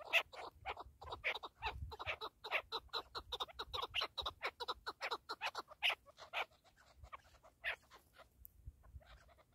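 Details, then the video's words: Partridge uttering a long, hurried series of short clucks, dense and uneven, tailing off into a few scattered notes. "KEKLİK / PARTRİDGE"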